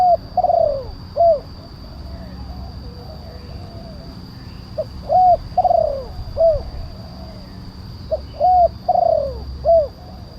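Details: Tekukur, the spotted dove, calling as a lure for wild birds: three phrases of short note, flat coo, rolling falling coo and arched coo, about every three to four seconds, over low background hum.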